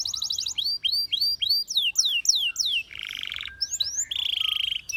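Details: Singing canary delivering a quick trill, then falling whistled sweeps, then two buzzy, rattling high tours and a bright rapid trill near the end; no other sounds.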